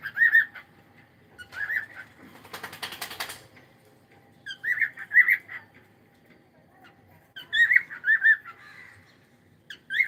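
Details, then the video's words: Pet cockatiel on a live stream giving bright whistled chirps in short clusters of two or three, spaced several seconds apart, with a brief burst of wing flapping in between. "Cute Cockatiel"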